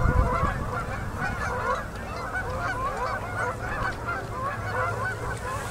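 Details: October 2018, Manitoba, Canada: huge flocks of Canada geese landing on a river at sunset during fall migration; rapid, jumbled honks from many birds rise and fall, with low background noise.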